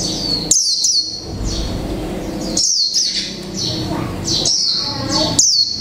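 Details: White-eye of the mộc tinh type, caged for one month, sings in 'líu pha chòe trống' style: high flicking chirps and short whistles in spaced bursts over steady low background noise.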